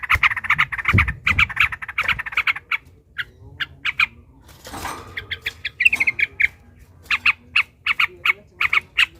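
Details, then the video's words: Long rapid-fire ropel panjang song of a fighting yellow-vented bulbul, played to goad other bulbuls: dense scratchy chatter at first, a brief rustle mid-way, then evenly spaced harsh notes in quick series. "trucukan ropel panjang TARUNG PANCINGAN TRUCUKAN agar bunyi"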